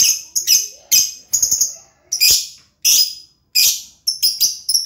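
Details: Lovebird uttering clusters of shrill, high chirps, each group lasting under a second and repeated at a steady pace with short gaps between.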